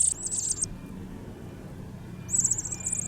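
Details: Meadow bunting nestlings calling in response to their parent at the nest: two short bursts of very high, thin, shrill chattering begging calls, separated by a quiet gap, over low background hum.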